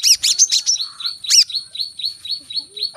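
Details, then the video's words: Brown-throated sunbird singing in the lively korlap gacor style with dense 'tembakan rapat' bursts, played to spur other birds to sing: a quick jumble of sharp high chirps, then a steady string of downslurred high notes about five per second, over a faint constant whine. "Kolibri kelapa | manggar | suara untuk burung malas bunyi | suara korlap gacor tembakan rapat"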